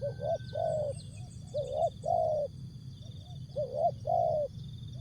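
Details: Spotted dove in Asia repeating its jergot, tapau and bungkus song: three regular phrases of a short rising coo and a longer mellow coo, roughly every one and a half seconds, over constant faint high hum.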